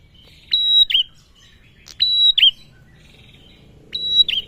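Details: Three bright call phrases from a male bar-winged prinia, used to provoke other birds into song, each a level piercing whistle ending in a quick falling twist, with a quiet background.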